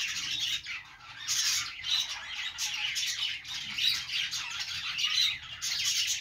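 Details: A flock of budgies keeps up rapid, raspy chirping and warbling, pulsing louder and softer every second or two.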